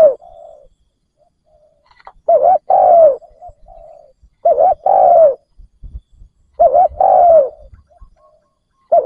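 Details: Decoy spotted dove luring wild doves with repeated cooing phrases of double coos and a drawn, falling note, about every two to three seconds, with faint murmuring between them.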